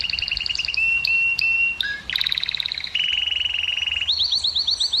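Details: Canary song to arouse females for breeding: paired trilled notes, a level whistled tone, a low note, a buzzy burst, a long rapid rolling trill, and a rising repeated upslurred phrase.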